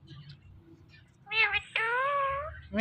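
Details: Indoor pet ringneck parrot, a male watching its own videos, utters two short nasal syllables, then a long, steady, slightly falling voiced note like a drawn-out 'meow'. Quiet room murmur comes before it.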